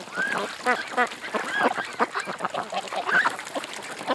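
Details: Ducks at a creek producing drawn-out, nasal, downslurred quacks one after another, a dense overlapping chorus throughout.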